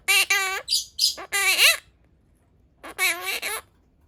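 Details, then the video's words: Monk parakeet of pastel blue colour copying Japanese speech: rapid string of raspy, nasal syllables with rising and falling inflections, a brief silence, then another scratchy talking phrase. "Pastel Blue Monk Parakeet speaking/オキナインコのモノマネ(日本語吹出し付)/talking parrot"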